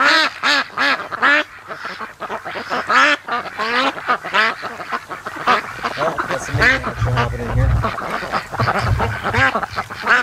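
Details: Ducks raised from ducklings, now at day 92, lazing in the afternoon sun by a lake at the mouth of a creek, giving loud nasal quacks in quick irregular runs, several calls overlapping across the whole stretch.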